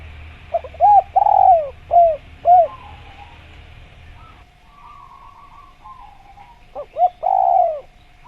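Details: Spotted dove (tekukur) in natural jungle repeating its cooing phrase twice: a quick note, rounded coos and a long drawn falling coo. A faint, fluttering, higher sound fills the gap between the phrases.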